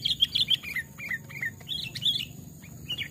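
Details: Pet sooty-headed bulbul, trapped and reared from a chick, in a forest test: rapid chirping notes, bright and slightly buzzy, several per second, with short warbled fragments and a low hum behind.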